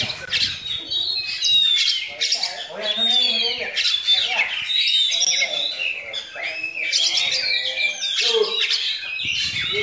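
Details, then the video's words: Long bout of myna-mimicking song by an Oriental magpie-robin: loud bursts of chatter, clear drawn-out whistles and harsh notes, pausing briefly between dense phrases. "Kacer Bakalan NgePlong Nembak Masteran Jalak"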